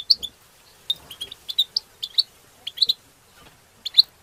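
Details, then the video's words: European goldfinch song used to stimulate other goldfinches during mating, heard as scattered clear high chirps and twitters in short groups of two or three, spaced irregularly over a quiet background. "بتبتات حسون تبتة حسون جماعية بتبتة وتستسة المقنين تبتة وستستة"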